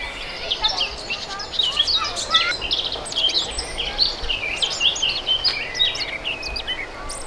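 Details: European robin singing with passion: a dense, continuous stream of high, thin, varied notes and short twittering trills, closely packed phrases rising and falling, with a soft steady background hiss throughout.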